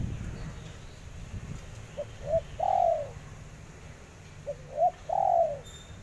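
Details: Spotted dove giving two coo phrases, each two or three soft short hoots rising into a drawn-out, slightly falling coo, spaced about 2.5 seconds apart, with low rumbling background.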